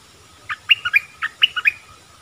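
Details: Streaked-eared bulbul's lively phrase of quick, rollicking chirped notes, high and low notes swapping back and forth for about a second, with soft low background rumble.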